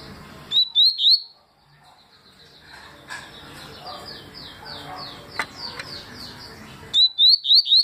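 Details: Yellow-bellied seedeater, locally papa-capim, performing tui song in 2020: opening and closing phrases of three to five crisp rising whistles, with a middle stretch of jumbled background voices and noise.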